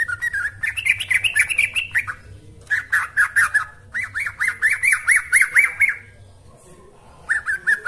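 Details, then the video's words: Yellow-vented bulbul lure song for bird training: warbling runs of rapid, slightly rising notes in three main phrases, then a pause and a short restart of the bubbling notes. "Ini Baru Pancingan Trucuk Sesungguhnya || Burung TRUCUKAN GACOR"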